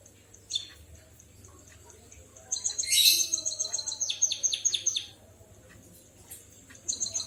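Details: White-headed munia giving canary-like song. A loud harsh burst is followed by a quick series of high, falling whistled notes. Faint ticks come before and after.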